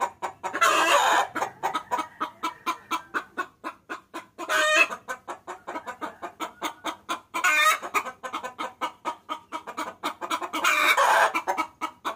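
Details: Lure recording of a hen calling the rooster: a steady run of quick clucks, with four louder, longer rasping calls spaced roughly three seconds apart.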